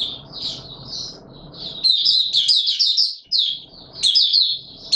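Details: White-eye (Mata Puteh Raja) singing in warm humid weather, recorded 20 March 2022: after a quieter start, a rapid, high, twittering warble of tumbling chirps and trills runs almost continuously from about two seconds to the end, with faint low background hum.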